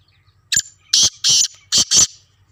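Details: Harsh, scratchy call from a two-year-old black francolin, known locally as kala tetar: a brief clipped note, then two long rasping bursts and a quicker closing pair. The background is otherwise near-silent.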